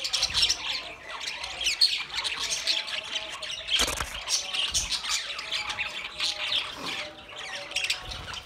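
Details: Lively budgerigar flock chatter, rapid high warbling and rasping squawks overlapping continuously, with a couple of short sharp knocks in the background.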